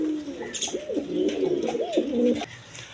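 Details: Indoor group of local and foreign coloured pigeons, one bird giving a clear wavering, bubbling coo that rises and dips for about two seconds, backed by softer cooing from others and faint rustling.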